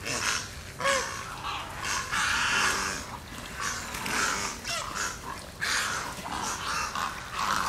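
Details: Morning feeding of egrets at a refuge watering hole, J.N. "Ding" Darling National Wildlife Refuge: loud, noisy, hoarse squawks repeated roughly every second or two, overlapping one another, with a faint squeaky note early on.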